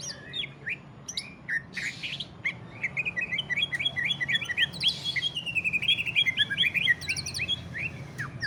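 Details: Greater green leafbird in the ngentrok singing style, played to stimulate other leafbirds to sing: a lively run of whistled, chirping notes around mid-high pitch, quickening into rapid repeated phrases, with sharp high chips scattered throughout and a low background hum.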